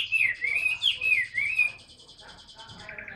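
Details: Caged Chinese hwamei, a large tame bird noted for singing a great deal, delivering loud slurred whistled phrases that rise and fall, then fading into softer scratchy notes toward the end.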